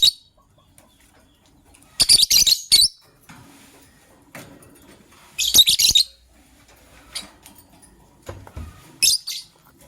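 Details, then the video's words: Morning chirping of pet lovebirds, a gray female ready to lay eggs and a yellow-green bird; loud high shrill bursts of rapid chirps arrive in groups every few seconds, with soft knocks and low hum between. "Yellow Green Lovebird's melodious chirping sound"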